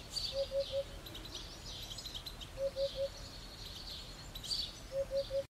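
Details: Eurasian hoopoe singing: low, soft hollow hooting notes in quick triplets, oop-oop-oop, repeated about every two seconds, with higher chirps of other birds and steady background noise.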